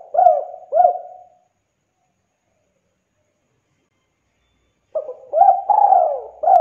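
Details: Spotted dove cooing as a lure to prompt other birds: two short rounded coos, a long pause, then a fresh phrase of quick notes, a rising coo and a long sliding coo.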